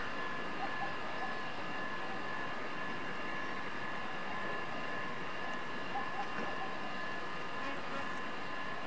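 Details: Continuous droning engine noise like a passing aircraft or vehicle, with a low rumble and a steady hum and no clear animal calls.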